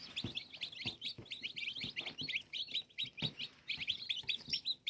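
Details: Several newly hatched domestic chicks, recorded 5 June 2022, cheeping steadily: quick bright high-pitched peeps packed closely together in a constant stream, with soft low thumps and scratching in the background.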